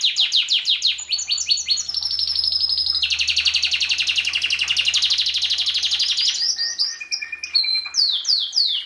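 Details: A Belgian canary sings to encourage breeding in 2016. It opens with quick downward sweeps, moves into a long fast rattling trill, then ends with varied whistles and rising chirps, over a faint low hum.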